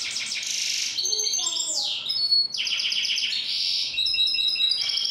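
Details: European goldfinch hybrid singing: dense buzzy trills and rattling twitters run almost nonstop, broken by a few lower tinkling notes and a swooping slurred phrase.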